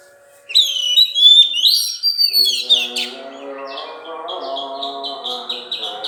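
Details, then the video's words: Oriental magpie-robin (kacer) singing melodiously: loud, varied high whistles and rapid sweeping trills, then a series of short repeated notes over a lower, steady, music-like harmonic background. "Kacer gacor suara merdu"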